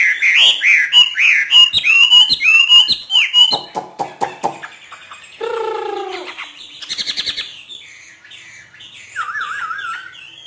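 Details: Trained hwamei from northern Vietnam singing freely: a run of loud slurred whistles, sharp clicking notes, a harsh lower squawk, then a soft wavering warble.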